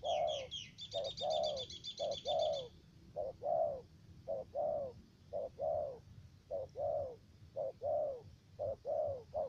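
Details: Spotted dove decoy for trapping in U Minh, Cà Mau, Vietnam, giving steady repeated low coos in short-long pairs, while another bird's rapid high chattering trill sounds for the first few seconds.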